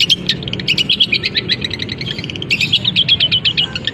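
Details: Caged long-tailed shrike singing right after its cage cover is lifted, filled with imitations of canary, fighting sparrow and kapas tembak: a dense, unbroken stream of rapid high chirps and twitters, with faint low background rumble.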